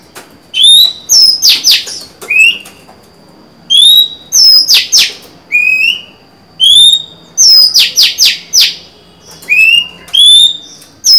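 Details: Female Oriental magpie-robin in captivity, dated 23 July 2020, singing to entice a male: loud, steady run of sweet rising whistles alternating with sharp downward-swept buzzy notes, phrases repeated about every second.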